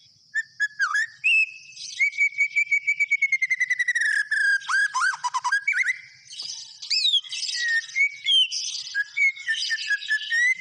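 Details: White-rumped shama in full vigorous song: varied loud whistles, slurred rising and falling notes, and rapid runs of short repeated chips, with bright phrases changing every second or two.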